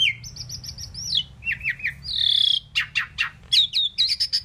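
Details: Indian pied myna, a talking bird able to say 'Mynah', gives a quick repeated piping phrase, descending slurred notes, a long nasal squeal and sharp chattering clicks.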